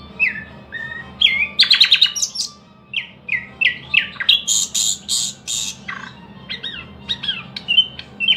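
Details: Song of a thrush nightingale: short whistled notes open the phrase, then a sharp clicking burst, loud rapid repeated chacking strokes and looping whistles follow, set against a quiet low background drone.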